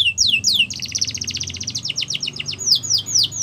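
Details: Song of a Yorkshire canary, meant for canary training: a few swooping downslurred notes, then a quick buzzy trill, followed by a run of descending whistled sweeps repeated about four per second.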